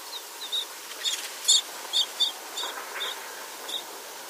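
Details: Tibetan rosefinch in Tibet, a seed-eating species that feeds directly on the ground: short, high, thin chirps scattered irregularly, roughly two per second, some doubled, over a steady faint hiss.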